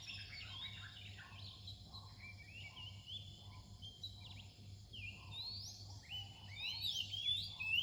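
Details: Oriental magpie-robin singing near dawn: a fairly quiet run of varied whistled phrases, rising and falling slides and short sweet notes, with brighter, higher phrases toward the end over a steady low hum.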